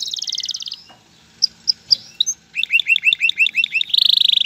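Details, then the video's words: Male canary singing to stimulate a female to mate and build a nest: a fast buzzy high trill, a pause, a few sharp separate notes, then a quick series of repeated rising chirps and a rapid high trill. "اقوى تغريد ذكر الكناري لتجهيز انثى الكناري للتزاوج و تحفّزها على بناء العش"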